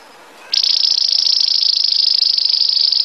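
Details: Belgian canary bursting into a sustained, very fast high-pitched trill, steady and bell-like, running unbroken for over two seconds after a quiet start.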